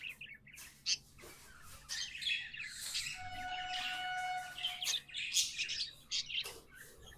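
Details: Pet budgerigars singing, tame birds: busy high twittering chatter with short buzzy notes and a steady, faintly ringing whistle held for a couple of seconds mid-clip, in quick irregular bursts.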